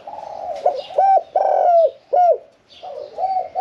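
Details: Caged spotted dove, kept one year four months, singing in the khan yon one-kuk style with a middle-pitched voice. It gives low resonant coos, some sliding and harmonic-rich, in an uneven phrase of short and drawn-out notes.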